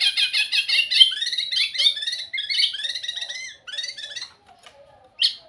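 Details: White-rumped shama singing sweetly: a dense, fast chatter of harsh, buzzy repeated notes, rambling over several seconds before thinning into scattered soft notes and a final sharp chip.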